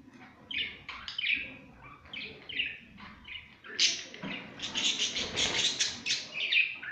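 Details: Pet budgerigars playing, chattering in scratchy chirps and grating warbles that build into a louder, continuous burst of squeaky notes.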